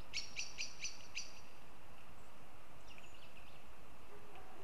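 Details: Northern goshawk recorded in Riga, Latvia: a fast string of five strident, evenly spaced notes opens the clip, then faint scattered chirps and background hiss.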